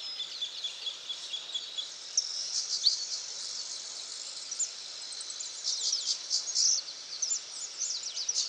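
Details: Saffron finch singing free in the wild at Itatiba, São Paulo, Brazil, 22 September 2018, 08:05: bright, high chirps and sharp, quick notes tumble out in uneven bursts over a steady background hiss.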